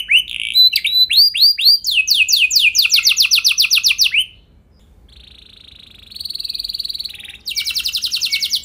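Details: Canary training song for other canaries: arched whistles speeding into rapid descending notes, a pause, a thin steady high tone, then a buzzy fast trill.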